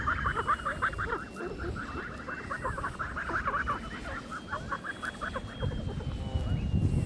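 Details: Blue Muscovy ducks, three months old, on a farm in Bulgaria in July, give a dense chorus of short, hoarse repeated calls overlapping throughout, with a steady high whine and low rumbling farm background.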